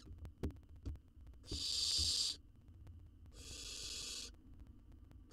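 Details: Owl chick in a wild nest box under research monitoring in Israel, swallowing a jird whole, gives rough hissing rasps lasting under a second, one loud and one softer, between soft low knocks.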